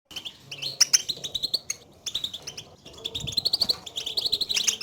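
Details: European goldfinch contact calls, known locally as batbata, used to stir a silent caged goldfinch into singing; bright twittering chirps repeated in two dense bursts, with short rising buzzy notes.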